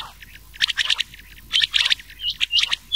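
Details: Rain quail giving sharp, high, scratchy chirps in quick bursts of several notes, about once a second; a rain quail and common quail mix call used for night-time quail hunting in summer.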